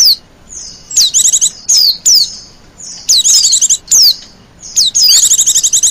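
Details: Wild white-eyes are called with this lure: crisp descending squeaky notes repeated irregularly, several followed by short fast twittering trills, all very high and thin.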